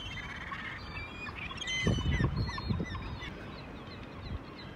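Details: At Choshi port in Japan on 11 March, seagulls give a cluster of nasal, honking, harmonic calls near the middle, over a steady low rumble of harbour and wind noise, with fainter calls trailing off.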